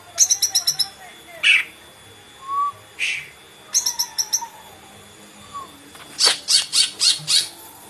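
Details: Cucak ijo (greater green leafbird) singing varied high phrases: quick stuttering bursts of sharp notes, short buzzy slurs and a soft low whistle, then a run of five bright clipped notes near the end, with pauses between.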